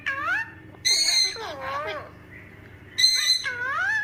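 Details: Talking parrot: bursts of harmonic, speech-like syllables with bending, rising and falling tones, separated by short quiet gaps, over a low steady background hum.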